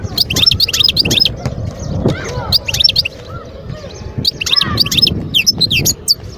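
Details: Wild European goldfinch singing near Guerbaz, Skikda, Algeria, in 2022: rapid bursts of tinkling, twittering notes with quick up-and-down slurs, delivered in short phrases separated by brief pauses. A low rumble of background noise runs underneath.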